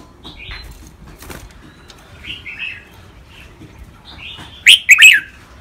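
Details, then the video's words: A red-whiskered bulbul, a trained song bird, gives short, bubbly whistled phrases around 2 to 4 kHz, ending in a loud burst of rich chortling notes, with faint clicks and background rustle. "นกกรงหัวจุก เสียงร้องเล่นริกเบิ้ล ลากหวาย แม่บท นับดอก ครบเครื่อง"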